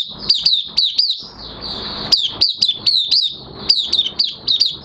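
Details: Singing Oriental white-eye (mata puteh), in minor moult, 3 June 2022: sharp, high chirps with falling slurs, spaced in small clusters, with a soft continuous high trill beneath and a short quieter stretch near the middle.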